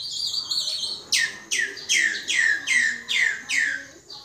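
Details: Common myna giving a run of about eight loud, sharply descending swooping notes, each sliding from very high to mid pitch, spaced roughly every half second after a faint high twittering start; steady room hiss underneath.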